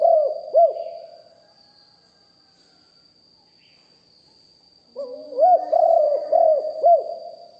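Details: Deep-voiced decoy spotted dove, live recording: two low hooting coos, about three seconds of near silence, then a phrase of four rounded coos rising and falling, faint steady high tone throughout.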